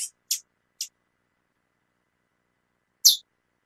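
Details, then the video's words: High chip calls from a female chestnut-bellied seed finch, calling a lot: three quick, thin notes in close succession, then a pause and one louder, sharper chip. "Fêmia do Curió Chamando Muito"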